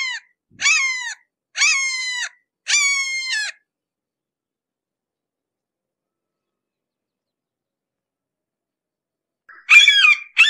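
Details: Red-shouldered hawk nearby: three ringing, downward-slurred scream notes in quick succession, then a long quiet spell before another rougher burst of calling at the end.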